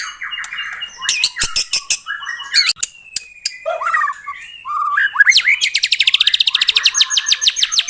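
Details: Song of a white-rumped shama meant to get a captive bird singing, mixing clicks, whistles and a drawn-out note, ending in a long fast rattling trill of rapid high notes.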